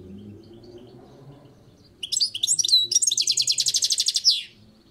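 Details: Balcony goldfinch song phrase after a quiet start with low background hum: liquid twittering notes and slurred whistles, then a steady fast rattling trill closing with a falling slur.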